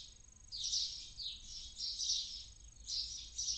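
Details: Barn owl chick inside a nest near the Casa Palillos visitor centre in Cabañeros National Park, Castilla-La Mancha, Spain, early morning at the end of its active night, dozing off; raspy, high hissing bursts repeat roughly every three-quarters of a second.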